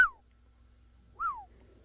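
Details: Black-headed oriole (Oriolus larvatus) gives two clear, liquid, downward-sliding whistles about a second apart amid a morning chorus on a sunrise safari on 30 April 2024, over a faint low hum.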